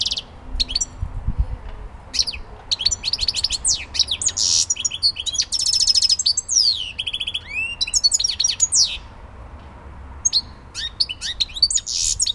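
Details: European goldfinch song linked to Elbasan: a long, fast, tinkling twitter of high chirps, buzzy trills and rising and falling slurred whistles, almost continuous for twelve seconds, with a faint low hum beneath.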